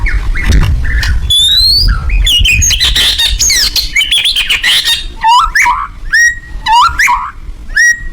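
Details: White-rumped shama (murai batu) singing loudly: dense harsh and whistled phrases with fast upward sweeps, later clear rising whistles repeated about every second, against a loud low-frequency rumble.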